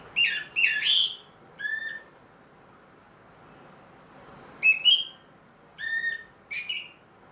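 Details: Caged orange-headed thrush wearing a ring, singing again after its moult. Clusters of clear, ringing whistled notes form two groups, each made of two or three short phrases, separated by a few seconds of near silence.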